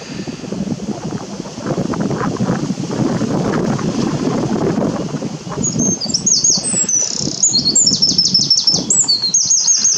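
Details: Eurasian wren (Troglodytes troglodytes) on a windy morning giving rapid, high-pitched ticking and trilling notes in the second half, over steady rumbling wind.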